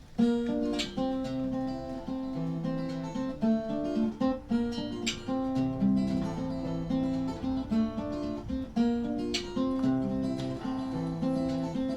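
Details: Acoustic guitar plucked and strummed steadily throughout, with no animal sound heard.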